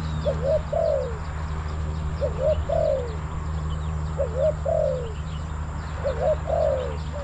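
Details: Spotted dove decoy luring wild doves at a Thai trapping site, Bang Li. Coos come in spaced groups, a quick double note followed by a longer, falling hoot, repeated about every two seconds over a steady low drone and faint chirps.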